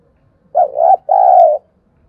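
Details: Spotted dove lure call meant to provoke wild birds, one clean phrase of two mellow coos, the first short and wavering, the second longer and steady, in a quiet setting.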